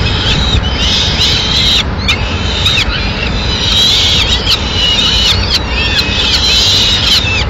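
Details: Female peregrine falcon bringing a pigeon to the nest, Madrid, 6 May 2016; a series of short grating calls followed by longer wailing cries, repeated steadily, over low-pitched urban background noise.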